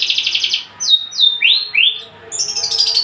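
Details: Javan bush lark, an unringed, tame caged male singing actively. A pulsing buzzy trill opens, followed by two high downslurred whistles and two rising swept notes. The phrase ends in a thin, high, chattering buzz.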